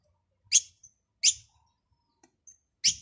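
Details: Chirping European goldfinch: three loud, short, bright chips about 0.7 seconds apart, with a couple of softer thin notes in between.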